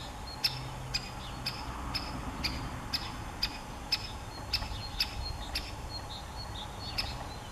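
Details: Sharp clicking 'kik' notes from a great spotted woodpecker, about twelve in under eight seconds at a fairly even, brisk rate, with a soft continuous hum and low rumble behind.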